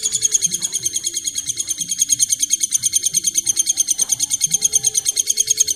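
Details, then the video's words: Masteran training song of a long-tailed shrike: a steady run of fast, high, metallic chattering notes, about three per second, unbroken throughout, with faint low murmurs beneath. "masteran burung cendet"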